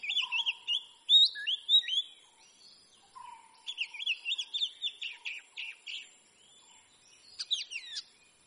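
An Oriental magpie-robin sings varied, sweet whistled phrases with rapid trills and sharp upslurred notes, in bursts separated by brief pauses.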